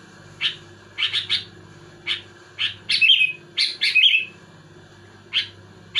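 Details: Sooty-headed bulbul singing energetically to provoke rival bulbuls: short bubbly chirped notes, singly and in quick pairs, some with a brighter warbled flourish, spaced irregularly over a steady low hum.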